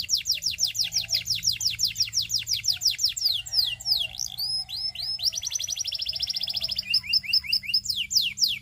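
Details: A Belgian singing canary sings to attract other canaries. Quick runs of down-slurred notes give way to a fast buzzy rolling trill, then sweeping whistles and more rapid repeated notes.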